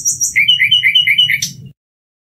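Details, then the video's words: Short common nightingale phrase of two high notes, then a quick row of paired chirps, ending in a sudden sharp burst before silence. "Canto del ruiseñor común"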